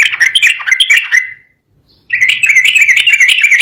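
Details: Agitated song of a sooty-headed bulbul, the kind said to set rivals singing at once: dense, rapid warbling chatter, a brief silence, then another fast run of bright slurred notes.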